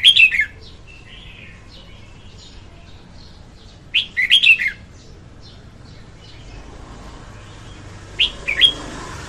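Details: Female red-whiskered bulbul singing, recorded in 2021 for use as a trapping lure: three short warbled phrases about four seconds apart, each a quick run of bright slurred notes, with a quiet background.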